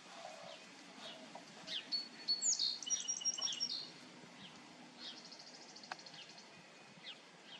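A song sparrow sings one high, bright phrase of clear whistled notes running into a quick jumbled trill, with faint chirps and soft outdoor hiss around it.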